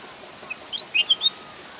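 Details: In Pu La Deshpande Garden a bulbul sings a brief phrase of four or five clear whistled notes, ending in two louder, slightly higher notes, against soft constant hiss.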